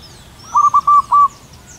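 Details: Wild local zebra dove singing at height in cool morning air, its song described as long and loud: a single short phrase of four or five mellow, rolling coo notes, the last ones drawn out and strongest.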